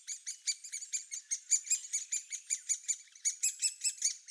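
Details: A Great Spotted Woodpecker nestling, the last of its brood still in the nest hole after its elder siblings fledged, calls impatiently at the entrance: a steady stream of harsh, high chirps, two or three per second.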